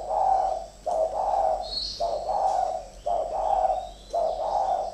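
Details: Spotted doves, a pair of caged decoy birds in a calling fight. Deep, rough cooing phrases of about a second each repeat back to back with brief gaps, and a faint high chirp is heard once.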